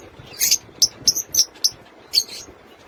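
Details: In their cage, lutino opaline lovebirds make shrill, high-pitched chirps and squeaks in quick irregular bursts, about seven sharp notes in three seconds over faint rustling.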